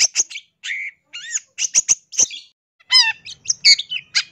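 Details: Vigorous long-tailed shrike song meant for training young caged shrikes to imitate: varied high chips, a rising-falling whistle, harsh notes and a quick descending stacked trill, delivered in short bursts.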